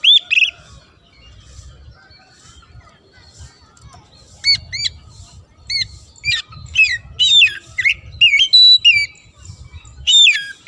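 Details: Oriental magpie-robin singing its fill-in song with pauses, used to stir up rivals: scattered high whistles build into a fast run of loud, varied, looping whistled notes, with low murmur underneath.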